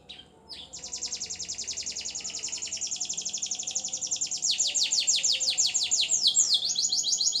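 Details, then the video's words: Morning warm-up song of an F1 Lizard canary, crossed from Lizard and local canary: a long, fast, high rolling trill of evenly repeated notes, growing louder, then shifting into swept whistled phrases near the end. "F1 Lizard (Lizard x Local Canary) singing"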